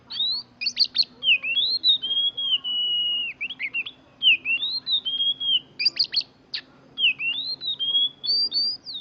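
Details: Song of an Oriental magpie-robin, a series of clear whistled phrases, some long and level, others rising or dipping, broken by sharp chipping notes and short pauses.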